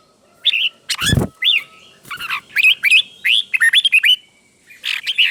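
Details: Caged red-whiskered bulbul teacher bird, singing doubled phrases for other caged bulbuls to learn. Short warbled, whistled phrases rise and fall in quick bursts of notes. A dull thump sounds early on, and a faint steady hum runs underneath.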